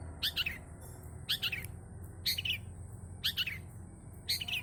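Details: Long-tailed shrike singing with varied fill notes, used as a lure. Five brief, sharp chattering bursts sound about once a second against quiet background noise.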